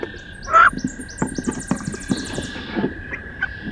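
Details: A female wood duck gives one sharp, upward-sliding squeal during a fierce fight between two females in a nest box on 16 May. A run of dry scratching and knocking follows, with high chirps outside and a steady hum behind.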